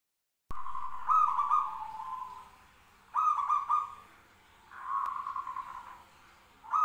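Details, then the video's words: ['Zebra dove calls answering each other: purring, trilled cooing phrases at a steady mid pitch, each opening with quick stuttered notes and then holding a rolling trill. Louder and softer phrases alternate about every two seconds, with faint background hiss.'] "suara perkutut bersautan"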